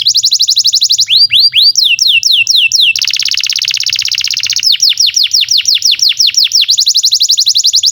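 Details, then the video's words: Canary singing continuously as a model for young and silent birds: rapid high rattling trills alternate with series of sweeping downslurred whistles and a long dense buzzy passage. "SUARA BURUNG Kenari GACOR PANJANG INI Cocok untuk Masteran KENARI PAUD dan Kenari Macet BUNYI"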